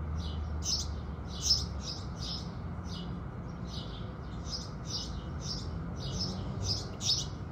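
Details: Several house sparrows chirping with the rising sun: a busy, fairly quiet run of overlapping high cheeps throughout, one or two louder notes, over a noticeable low background rumble.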